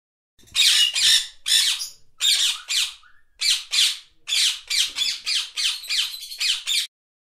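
A parrot gives a rapid run of about fourteen harsh, raspy squawks, bunched in pairs at first and then quicker and evenly spaced.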